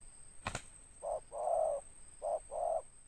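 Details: Spotted dove (tekukur) with a big, deep voice and a closing note, cooing in four low hollow notes: a short coo, a long drawn coo, then a short and a long coo again; a sharp click first, steady faint hiss behind.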